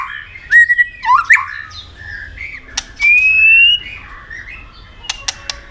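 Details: Competitive singing white-rumped shama: sparse clear whistles, one rising and one long even whistle, separated by brief sharp clicks and quieter gaps.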